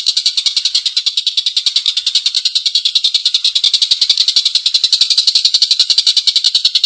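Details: Collared kingfisher (tengkek buto), a lively calling bird, giving its long, rough laughing call: harsh, rattling kek notes repeated about three to four times a second without pause, steady and loud throughout.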